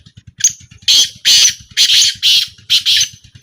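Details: Black francolin, small calling trial, 2025: a thin whistle-like lead note, then five loud, rasping, evenly spaced calls, all with a steady low pulsing sound beneath them.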